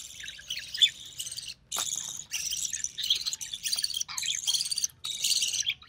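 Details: Budgerigar chick, recessive pied, hatched early June 2020 and fed by its mother; continuous grating, buzzy calls broken into uneven bursts, a sharp click near the two-second mark, then steady rasping to the end.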